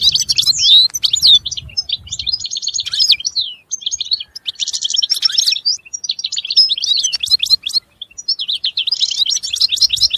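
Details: Continuous lively warbling of a European goldfinch, a fast jumble of high twittering notes, liquid chirps and brief buzzy rattles with only momentary breaks.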